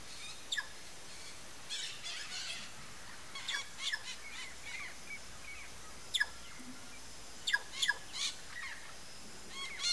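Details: Sayaca tanager giving scattered short, high chirps and squeaky notes at irregular intervals, some sharp and clicking, separated by quiet gaps over a soft, steady background hiss.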